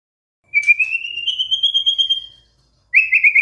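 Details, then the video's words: White-rumped shama song as a pancingan lure for a stressed shama: one long, slowly rising pure whistle lasting about two seconds, then a short burst of quick trilled notes. "SEKETIKA MURAI STRES SONTAK BERBUNYI DENGAR PANCINGAN INI"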